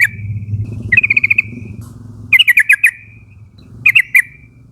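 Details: Three bursts of rapid, bright chattering notes from a yellow-vented bulbul, each ending in a held trailing tone, calling young wild flock mates to join in; steady low hum throughout.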